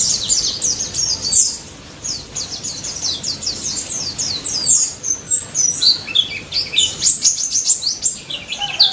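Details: Daput white-eye from the wild, singing hard, aimed at prompting silent white-eyes to respond: rapid high twitters in runs of steeply falling notes, a short lull near two seconds, then the chatter resumes.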